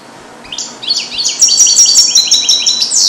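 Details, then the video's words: European goldfinch born in captivity in 2022 and trained with Neapolitan song passages, isolated in a small carrier; after quiet, a fast run of bright, tinkling high notes and trills builds steadily, ending in a rising sweep. "Cardellino di passata 2022 - BW06 - Jilguero cate limpio"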